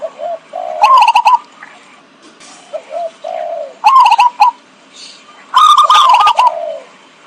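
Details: Zebra dove call used as a trapping lure: bursts of rapid, rolling staccato coos alternate with softer, lower single coos, repeating in three loud bouts with quiet gaps between.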